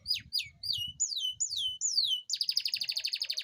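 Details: Canary in lively song used to draw lazy canaries into singing: a run of loud whistles sweeping down from high pitch, each about half a second apart, then an abrupt change to a fast, even, buzzy trill.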